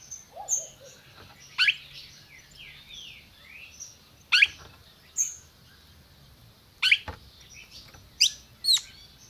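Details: Caged red-crested cardinal in Brazil calling: a run of about seven crisp, sharp chip notes spaced irregularly. Faint background chirps and slurred notes from other birds are heard, with a low room hum.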